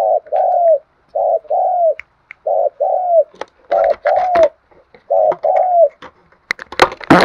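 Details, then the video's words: Repeated coo phrases of a spotted dove from Đồng Nai, Vietnam, played as a lure: paired mellow notes, the second longer and falling, about every 1.5 seconds, with clattering knocks growing louder toward the end. "tiếng cu gay kích bổi hiệu quả, chim cu gáy Đồng Nai"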